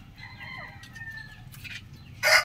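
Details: Rooster crowing in the morning on a chicken farm: a drawn-out harmonic crow of about a second that holds steady and then fades, followed by soft rustles and a sharp, loud burst at the end.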